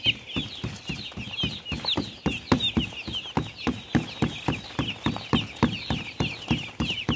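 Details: Many farm chicks peeping in high, thin chirps that overlap constantly, with steady low thumping beats of background music underneath.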